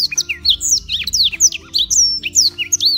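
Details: Continuous warbling from a black-throated canary kept in Beng, Gianyar, Bali as a daily tutor singer, a quick chain of bright rising and falling whistled notes with barely any break.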